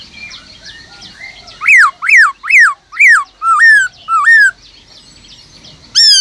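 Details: {'text': "Caged Black-throated laughingthrush singing in the 'forest voice' style, used to spur other kept laughingthrushes into song: six loud, clear whistled notes, each sweeping up then down, given in a quick run of about two per second, then quiet."}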